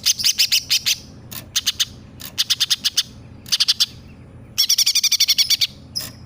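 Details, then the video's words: Singing greater green leafbird imitating sparrow and 'tengkek buto' voices. Grouped bursts of quick, high, clipped chirps, three to eight per group, separated by brief silences, ending in a dense rattling run. "Cucak Ijo Gacor nembak gereja sambung tengkek buto"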